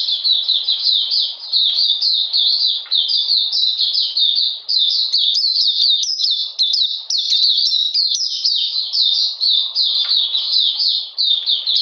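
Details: Oriental magpie-robin in song during cold, rainy weather, 13 June 2020, delivering a long, dense run of high, sweet, slurred notes and quick trills, phrases recurring rhythmically with only momentary breaks.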